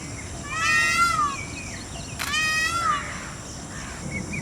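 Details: A displaying peacock gives two strident, meow-like wails, each rich and nasal and sliding downward over roughly a second, about a second and a half apart, then fades to low rustling background.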